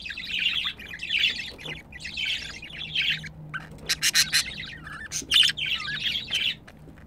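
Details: Mating budgerigar pair: grating, buzzy chatter phrases, then a run of sharp clicks and squeaks, with a faint low hum underneath.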